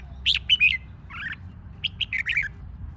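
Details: Red-whiskered bulbul in fired-up competition singing, played to provoke other birds: clusters of sharp, warbled whistles, a lower burry phrase in the middle, then a fast string of five or six chirpy notes, over a faint low rumble.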